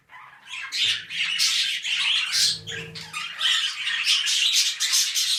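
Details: Pet budgerigars mating indoors as they begin a new breeding cycle: continuous busy chatter of scratchy, squeaky warbles and short chirps, dense and unbroken throughout, with faint low room hum.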